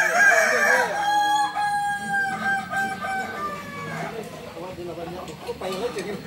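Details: At a practice gathering for Kukuak Balenggek chickens, a breed endemic to Solok, West Sumatra, a loud crow opens, then trails into a long sequence of evenly stepped, descending syllables. Further crowing and voices are heard beneath.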